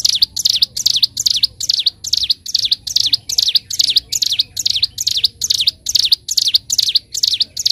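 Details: Master song of the bar-winged prinia (ciblek gunung) for teaching other birds: sustained run of about nineteen high, piercing V-shaped chirps over eight seconds, evenly loud and rapid, quiet low background hum only.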